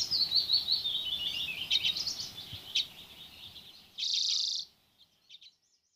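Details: Common redpoll flock, dozens of birds feeding on alder cones at Haren, 2024: thin, wavering twitters and chatter, then a loud buzzy burst near the end before the calls fade to near silence.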